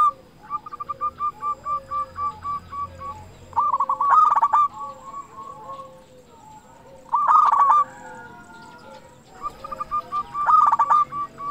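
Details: Zebra dove song, a local bird with a big voice played to coax other doves into singing; three loud rolling coo phrases stand out over steady, fainter staccato cooing from other doves throughout.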